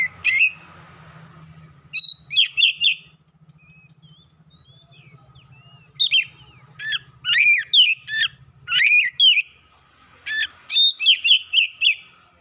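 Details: Oriental magpie-robin in excited song: clusters of rapid whistles and chirps in bursts of four to six notes, separated by short pauses, over a low hum.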